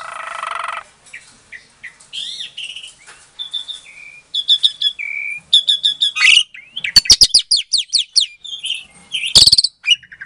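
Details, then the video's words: Asian pied starling bred in Klaten, Indonesia, singing as a lure to make silent starlings answer: a raspy opening, soft fluty whistles, then a fast varied string of chirps, clicks and trills with loud sharp snaps. "Suara Jalak Suren Pancingan, Jalak Macet Pasti Jadi Emosi Langsung Nyaut"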